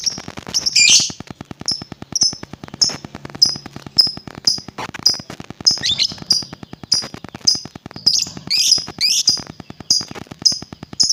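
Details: Lovebird sound for provoking other lovebirds: rapid series of short, sharp, high chirps about every half second, broken by a few louder scratchy chattering notes, over a steady low ticking pulse.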